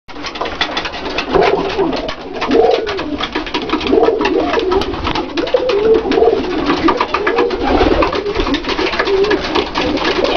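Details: Dalıcı breed domestic pigeons kept in a loft, low soft cooing phrases repeated every second or two under a constant busy background of clattering, scratching and wing noise from many birds.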